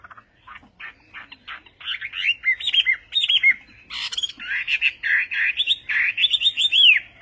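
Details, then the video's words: Chinese hwamei performing Vietnamese-style song, starting with quiet clipped notes, then building into louder slurred whistles and upward-curling phrases. "HỌA MI TÂY - TIẾNG HÓT VIỆT"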